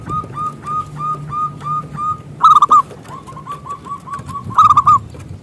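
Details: Local zebra dove singing as a lure to draw others into song: a run of evenly spaced soft coos, then loud clustered hooked notes, another soft run and a second loud cluster, with low rumbling in the background.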